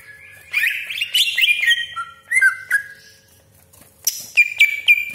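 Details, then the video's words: Greater green leafbird singing a sharp 'tembakan' song with harsh 'besetan' rasps, used as a lure to provoke other leafbirds: bursts of buzzy, slurred whistles and sweeping notes separated by short pauses, then high ringing chips near the end. "CUCAK IJO GACOR DOR TEMBAKAN TAJAM BESETAN KASAR ROLL PANJANG FULL ISIAN"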